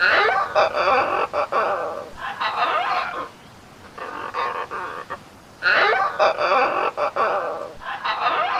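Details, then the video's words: Macaw giving loud, harsh, raspy squawks in bursts of about a second, separated by short quiet gaps, with grating, noisy overtones throughout. "suara burung macaw"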